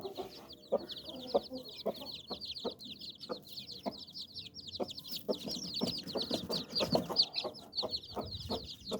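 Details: Hen sheltering nine chicks under her wings, short low clucks repeated steadily, roughly one every half second or so, over continuous high-pitched peeping from the chicks.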